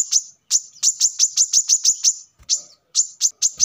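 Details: Brown-throated sunbird, also called coconut sunbird, in a recording used as a lure and a song model for training birds: sharp, high, clipped notes repeated about three per second, with short pauses between bursts.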